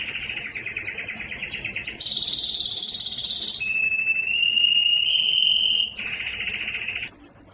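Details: Yellow canary song opening with a fast doubled trill, then a pure sustained whistle-like roll at mid pitch, a lower steady tour rising slightly, and renewed quick high trills.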